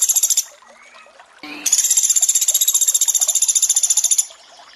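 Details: Sunda pygmy woodpecker with water sounds, made as a training recording for sogon: a short high rattle, a quiet gap with running water, then a long fast trill of bright buzzy pulses lasting over two seconds before stopping.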